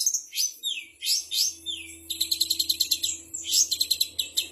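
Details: Long-tailed shrike (cendet) imitating kapas tembak, canary, gereja tarung and ciblek. Slurred whistled sweeps come first, followed by a brisk run of clipped repeated notes, with a steady low hum in the background.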